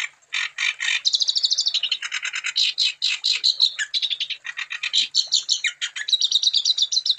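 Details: Wambi bird singing continuously, as a lure to make other wambi sing: a sustained, fast medley of chirps, rattling trills and scratchy notes, changing pitch often, with almost no gaps.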